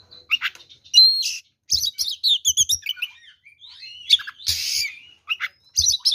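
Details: Fighting-style song of an oriental magpie-robin used to provoke other kacer into aggression: varied high chirps, whistles and sweeps, with scratchy harsh bursts, delivered in short jumbled phrases separated by brief pauses.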